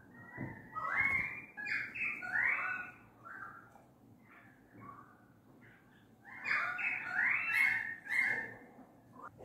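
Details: Australian magpies with currawongs noisily gathered outside a house window; two long runs of rapid, overlapping warbling and fluting notes with gliding pitch, separated by a quieter stretch holding a few soft calls, heard from indoors.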